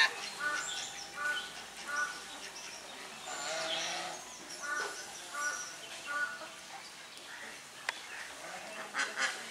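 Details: Domestic swan geese, together with grey domestic geese, drying their bodies: repeated nasal honks in short bursts, some of them rising and falling, over a background of other goose calls.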